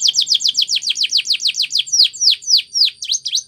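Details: Spanish Timbrado canary training song: steady series of high downslurred whistled notes, about five per second, slowing toward the end into a few hooked notes.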